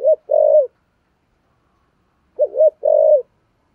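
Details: Clean, low Spotted dove coo in the 'giọng thổ sấm' style of 'thúc gù': a short double-note wobble leading into a sustained even note, given twice about two and a half seconds apart.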